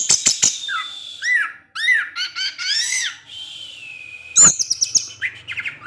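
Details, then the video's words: Orange-headed thrush singing a rich varied phrase of arched slurred whistles, rapid rattling notes and a long steady whistle, then a sharp click and quick chattering chips, with a faint low hum at the end. "ANIS MERAH SUSAH BUNYI PASTI NGEPLONG DENGAR SUARA NGECIP NGECIS TELER INI"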